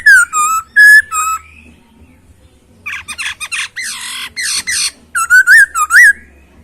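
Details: Masked laughingthrush in captivity gives clear whistles and short bursts of harsh chatter, finishing with quick wavering whistled notes. Short silences separate the phrases.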